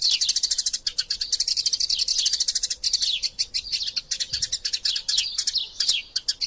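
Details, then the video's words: Eurasian tree sparrows fighting, recorded as masteran song material: relentless high chirping, rapid notes overlapping, some sliding downward, forming an unbroken excited chorus for over six seconds. "Burung Gereja Tarung Gacor Passer Montanus passeridae Eurasian Tree Sparrow erasia suara masteran"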